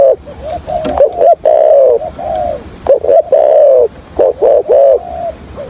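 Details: Spotted dove decoy bird used for trapping, giving a stuttering coo in the deep 'hạp bổi' voice style: loud, hoarse coo notes, some rising then falling, repeated in uneven bursts with short gaps between them.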